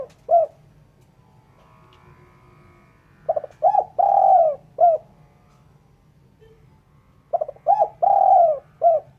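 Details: Spotted dove call offered clean for luring birds: two phrases of mellow cooing, short staccato hoots building to a long rolling coo then a final short note, with quiet pauses between.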